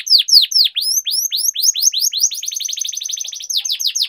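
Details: Canary singing, used to prompt lazy canaries to sing: continuous high rolling song of rapid downward-sweeping notes, several per second, in shifting trilled phrases with no other sounds.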